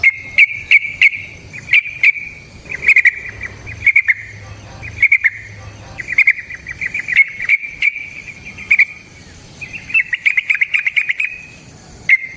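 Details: Yellow-vented bulbul in long rapid 'ropel panjang' song, natural-sounding recording for luring other bulbuls: clusters of quick bright chirps repeated over several seconds, building to a dense trill near the end.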